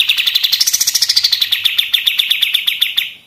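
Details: Machine-gun style song of a pied triller, recorded as tutoring material for other songbirds: a long, steady rattle of sharp high notes that rises slightly in pitch midway, then settles and slows a little toward the end.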